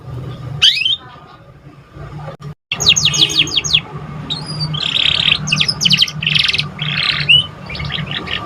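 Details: Canary chick learning its song: an opening sweep, a near-silent gap, then fast repeated descending strokes, buzzy patches and short twittering bursts, high and lively, over a faint constant hum.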